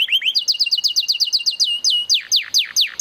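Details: Canary song of quick, evenly spaced rising chirps in a fast run, followed by slower downward-sweeping whistled notes, loud and clear with no other sounds.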